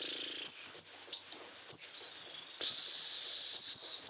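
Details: Sogon in strong breeding condition: a series of sharp, high chips spaced about a third of a second apart, then a long, unbroken, high buzzy trill with more chips near the end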